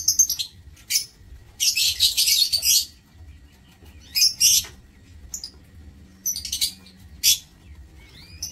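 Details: Caged lovebirds in an aviary on 16 March 2024 give sharp, high-pitched chattering bursts, some dense and lasting about a second, others brief single chirps, separated by quiet pauses.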